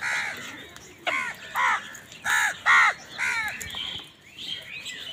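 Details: Crows squabbling with wild birds over food, giving a run of six harsh, arched caws at roughly half-second spacing over a busy background of high chirping birds.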